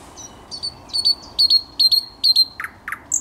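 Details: Thrush nightingale singing on 10 May 2021: a run of about eight clear, down-slurred high notes repeated quickly, then two lower, sharply falling notes and a high closing note.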